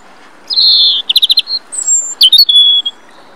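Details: European robin singing in Rombergpark, Dortmund, on 27 March 2013: a thin, high sustained whistle, then a rapid stuttering series of notes, a falling high note and a final drawn-out whistle, all clear over faint background hum.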